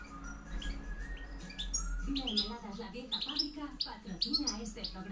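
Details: European goldfinch, 2013-2014 season, giving its campero-style reclamo call, calling strongly: bright, rapid upslurred chirps and twitters in quick succession, with low droning hum and indoor background noise beneath.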